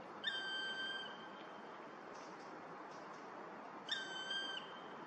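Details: A black woodpecker at Vrieselhof, Oelegem, on 14 January 2022 gives two drawn-out, plaintive, level whistled calls about three and a half seconds apart, over a steady background hiss.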